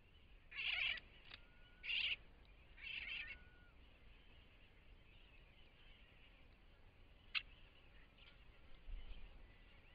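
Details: Millerbird singing while foraging on Laysan Island: three short, dense bursts of scratchy, chattering notes about a second apart, then a few faint chips and soft whistles against a low background hiss.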